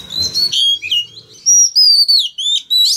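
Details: Close, loud whistled phrases from a male Oriental magpie-robin: clear sustained notes that slide and dip, sung to get young birds singing along.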